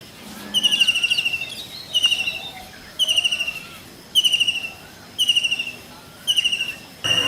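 Common kingfisher giving high, shrill whistled bursts, each a quick run of piercing notes, repeated roughly once a second over faint background hiss.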